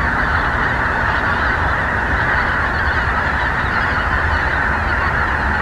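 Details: A large wintering flock of greater white-fronted geese in southern Moravia, during unusually warm weather, before migrating north to breed: a dense, steady babble of high, yelping honks overlapping without pause.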